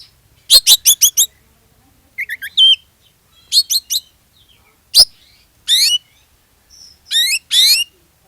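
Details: Oriental magpie-robin song meant to provoke other magpie-robins into singing: quick series of sharp high strokes, twittering whistles and harsh buzzy rising phrases delivered in short bursts with pauses between, clean recording without background noise.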